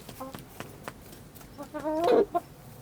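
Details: Village hens clucking among scattered farmyard noises, ending with a louder, rising squawk-like cluck and a short final note.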